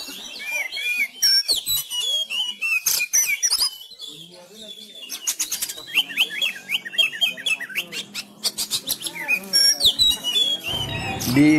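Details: Sumatran Oriental magpie-robin, a contest bird caged and trained at home during the Covid-19 lockdown, delivers a long fighting-style song: loud rapid clicks, varied whistled phrases and buzzy rattles, with a brief quieter stretch midway.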